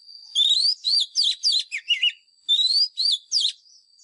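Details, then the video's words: Forest-bird Oriental magpie-robin fighting song for training caged birds: two bursts of rapid, varied whistles with rising slurs, falling sweeps and buzzy chatter, separated by a short pause, over a constant thin high tone. "Chòe than mồi # Chòe than mồi Hót đấu CHIM RỪNG || Luyện giọng chòe than hót"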